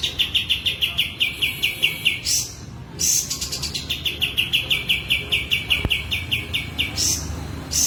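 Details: Kapas tembak in breeding condition with tail spread, pouring out rapid repeated chirps in steady runs separated by short hissy buzzes.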